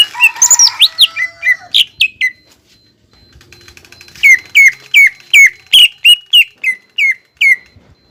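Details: Cucak ijo bahan, the greater green leafbird, sounding as a lure to encourage birds to sing: a jumbled fast twittering with looping whistles, a short pause, then a steady series of sharp, downslurred whistled notes about three per second.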